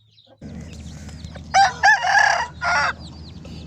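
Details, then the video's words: An Aseel rooster gives one hoarse, broken crow: two short clipped notes, then a long, strained, wavering note and a final burst, over a low steady hum. "Rooster Crowing compilation / 20 Aseel murg AZAN ! Plus rooster crowing sound effect"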